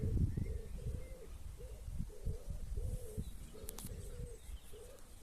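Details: Birds at a quiet campsite near Doncaster, Yorkshire, UK, in the evening: soft low cooing phrases repeat at a distance, with faint rustling and background noise.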